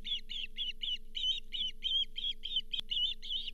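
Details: Fifth fish of the day, a lake whitefish, brought to the Charlo osprey nest in July 2023; a steady series of about fifteen short high chirps, roughly three per second, with a low hum and one click.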